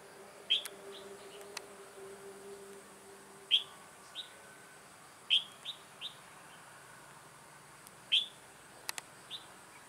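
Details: Red-whiskered bulbul used as a decoy bird for trapping, recorded 2 October 2018: short bright whistled phrases, each a sharp note followed by two or three softer slurred notes, repeated about every two seconds over a low steady background hum.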